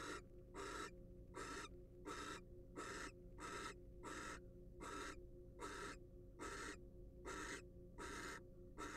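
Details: Wild barn owl in a monitored research nest box: harsh, broadband hissing screeches, each about a third of a second, repeated roughly every three-quarters of a second, about twelve in a row, over a steady low electrical hum.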